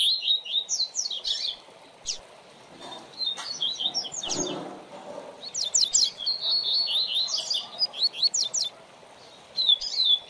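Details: Caged double-collared seedeater (coleiro) singing as a tutor bird for training a young bird's song: fast high twittering phrases of chirps and slurred whistles, repeated with short pauses, with faint clicks in the background.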